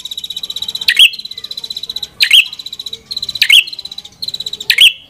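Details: Continuous high, rapidly pulsed buzzing from a prenjak kepala merah, broken about every 1.3 seconds by a loud sharp chip. Four phrases in all.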